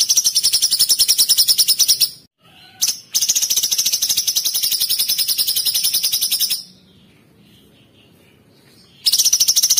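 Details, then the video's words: Cucak cungkok bulbul delivering its 'tembakan' song style: long bursts of very fast, high, buzzy rattling trills, broken by short pauses and a stretch of near silence before a final burst. "TEMBAKAN KRISTAL CUCAK CUNGKOK ISTIMEWA"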